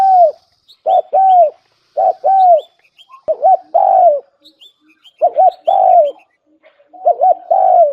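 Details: Decoy spotted dove repeating its lure coo: paired hollow coos and a longer falling note, phrase after phrase with short gaps, while small birds chirp faintly in high thin notes.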